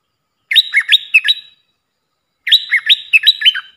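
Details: Puff-throated bulbul decoy call for training young hand-fed birds: two loud chattering phrases of quick hooked whistles, each note swooping down then up, about two seconds apart in silence.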